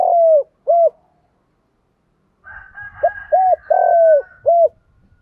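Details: Lure cooing of a decoy spotted dove to attract wild doves: the end of one phrase, a pause, then a full four-note coo phrase over low rumbling and rustling noise.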